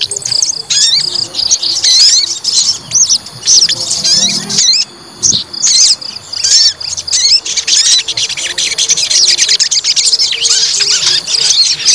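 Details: Provoked white-rumped shama, kept as a fighter, delivers dense high-pitched song: quick chattering trills, clear upward whistles and scratchy notes in repeated bursts with brief gaps, a soft background hum throughout.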